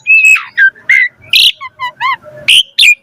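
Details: Asian pied starling giving a rich, varied lure song to encourage other starlings to sing: flat whistles and harsh squawks alternate with softer warbled notes in a loose, irregular sequence.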